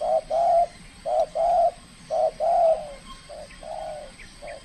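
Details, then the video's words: Trained spotted dove from the Riau Islands (Kepri) in its first cooing contest, showing off its skill: low, hollow coos in short-then-long pairs, repeated three times, then a softer, shorter phrase. Faint high chirps of other birds are in the background. "TEKUKUR SI BINTANG PERDANA LAGA LANSUNG KELUARKAN SKIL NYA"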